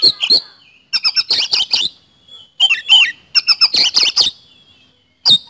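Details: Kacer, known in English as the oriental magpie-robin, in energetic 'gacor' song used as a lure: short scratchy phrases alternate with fast rolling bursts and swooping whistled notes, with brief silences between groups.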